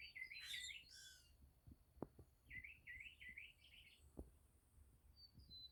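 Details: Grackle calling at a rural country home, with a mockingbird singing in the background: a harsh squeaky burst, then a run of quick buzzy rising chirps and scattered clicks.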